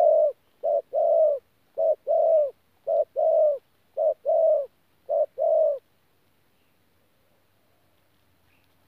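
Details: Spotted dove, wild-caught, Tu Mơ Rông, 14 January 2019, cooing 'pha gù' style: six crisp pairs of short and longer low coos at an even pace, followed by three seconds of silence.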